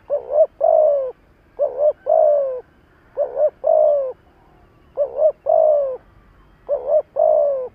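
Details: Spotted dove kept as a decoy, calling to stimulate wild doves. Low mellow cooing in repeated phrases of a quick double note then a sustained falling coo, four phrases about every 1.6 seconds.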